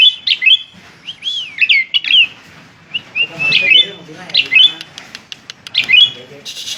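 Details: Asian pied starling singing a varied string of clear whistled notes, some sliding up and down, in short phrases separated by brief pauses, with faint low murmuring behind.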